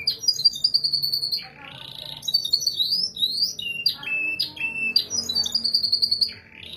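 A canary sings a fast, bright run of high trills, rolls and sharp chirping notes.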